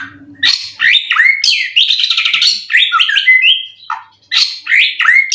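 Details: Caged contest-winning white-rumped shama, said to be ready to compete again with a full song repertoire; high, varied song of sweeping whistles, trills and sharp chips, with a short pause before a fresh outburst.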